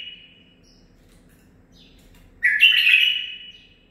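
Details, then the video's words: Home-bred male bulbul, nine months old, kept by its breeder, singing phrases learned in the zilzal style: a faint high note opens, then after a pause a loud burst rises and settles into a long, slowly falling whistled tail. "من بلابلي الخاصه (الكابتن ) مخلف تخريجي العمر 9 أشهر اخذ لسانات زلزال"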